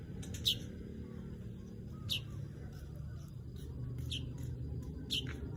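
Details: Weaver giving four dry, clipped chirps spaced roughly one and a half seconds apart, each dropping quickly in pitch, with a constant low hum underneath.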